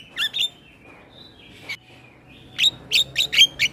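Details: Male Asian pied starling singing as a tutor for other starlings, with a few chattering notes, a faint drawn-out whistle, then a rhythmic string of loud, squeaky, scratchy notes.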